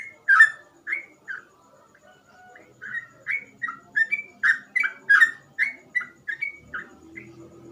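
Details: Sooty-headed bulbul giving gacor ropel song with easily imitated phrasing: a loud opening whistle, a short lull, then a quick run of mellow, slurred whistled notes, with a soft low rumble toward the end.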